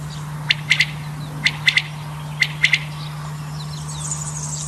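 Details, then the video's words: Male common quail giving its three-note call, a short note followed by a quick pair, repeated about once a second, over a steady low electrical hum. "common quail male sound"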